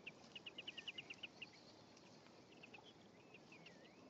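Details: At a nest on 1 May 2015, with male and female interacting and eggs hatching, a European greenfinch gives a quick run of about ten short, bright chipping notes, then a few softer notes over a steady hiss.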